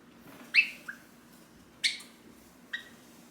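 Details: Hand-tame pet Java sparrow in its cage, calling to its owner as the owner gets up to leave: three sharp, bright chirps spaced irregularly over three seconds, the first with a short soft note after it, in a quiet room.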